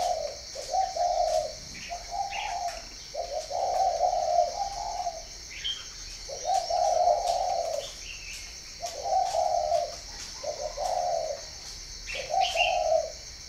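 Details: Spotted dove from a breeding farm in Ba Vì, northern Vietnam, cooing steadily: repeated low, rounded two- and three-note phrases in a rhythmic series, with brief high chirps and a steady insect drone behind.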